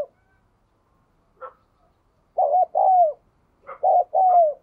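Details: Spotted dove decoy for drawing wild doves into cooing: a faint short note, then two low coo phrases, each clipped notes leading into a smooth downward-sliding coo, in an otherwise silent setting.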